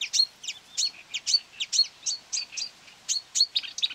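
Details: Marsh warbler near quarry workings on 9 May 2020, drawn in by playback of its voice, delivering quick separate chips and sharp whistled notes, several per second, fairly even in loudness.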